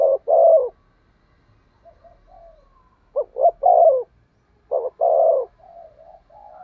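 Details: Decoy spotted dove giving thúc gù cooing, meant to lure wild doves: a quick double note then a long, mellow, falling coo, repeated twice with soft quiet coos between phrases.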